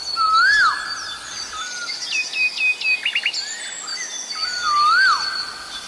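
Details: Asian koel calling during Sinhala and Tamil New Year: two loud rising-then-falling whistled notes about four seconds apart, with other birds' buzzy chatter and higher twittering between them.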